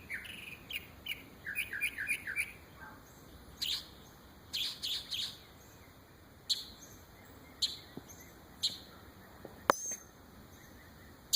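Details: A bird imitating many different noises gives a run of short, high chirps and sharp squeaky notes, some in quick clusters and others spaced a second or so apart, with brief upward slides and clicks against quiet background.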